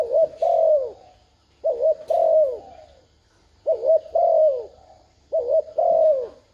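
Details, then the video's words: Decoy spotted dove cooing 'thúc gù' to attract wild doves: four regular low phrases of a bouncy two-part note followed by a smooth falling coo, about every one and a half seconds. "Tiếng chim cu gáy thúc gù kích mồi mở lên bổi gáy liền"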